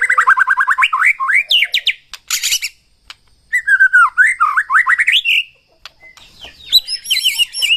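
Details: White-rumped shama song: bursts of rising, rapidly repeated whistles and sweeping notes, broken by short pauses and a few harsh buzzy notes.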